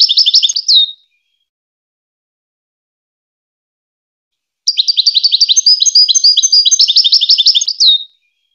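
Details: Goldfinch singing, recorded for teaching hybrid chicks to sing: a brief high twittering burst, then after a long silence a longer phrase of rapid, rattling, buzzy notes repeated several times a second, with no other sounds.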